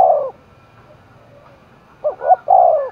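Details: Spotted dove from Dong Nai, roused for a cooing contest, gives low hollow coos: one soft note at the start, a pause, then a quick pair of short coos and a longer drawn-out coo near the end.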